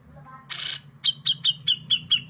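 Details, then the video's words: Cucak jenggot, or brown-cheeked bulbul, delivering a keen besetan phrase: a short buzzy rasp followed by seven crisp, down-slurred whistles at a steady quick pace. "JENGGOT MEWAH BESETANNYA TAJEM COCOK BUAT MASTERAN GESEKAN BURUNG KICAU"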